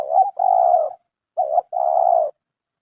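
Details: Terkukur, or spotted dove, chosen for its 'mersik' voice style; two clear coo phrases, each a brief clipped note then a long steady mellow coo, in otherwise quiet surroundings.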